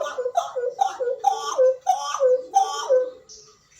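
Hooded butcherbird giving a quick run of mellow, fluty notes, about two paired phrases a second, each note slurring downward with a slight gurgle. The sound is close and roomy.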